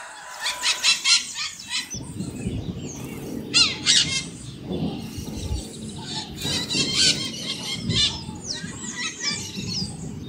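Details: Several maritaca parrots squawking and chattering irregularly, mixing grating screeches with shorter chirpy notes, some overlapping, over a constant low rumble.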